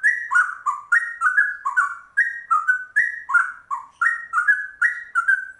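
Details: Trucuk bulbul with a straw-headed bulbul-like ropel song, pouring out continuous mellow, gurgling whistles that step up and down in quick bursts, each burst swelling then fading, no background noise.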